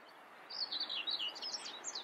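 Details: Common whitethroat (Sylvia communis) singing: a short, scratchy, hurried warble of high chattering notes, jumbled and rising and falling, over a soft background hiss.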